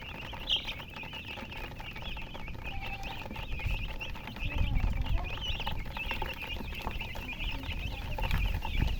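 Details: Many chickens keep up a continuous thin, high chirping while low thumps and rumbling grow stronger in the second half.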